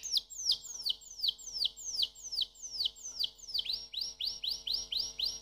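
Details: Canary singing a steady series of sweeping falling whistles, about two per second, then switching to rising swept notes.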